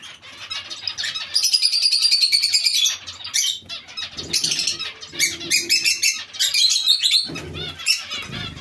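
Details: Several zebra finches in a colony shared with Bengalese finches call almost continuously. Buzzy, nasal notes stack into a steady chatter, broken by short pauses and a low rustle near the end.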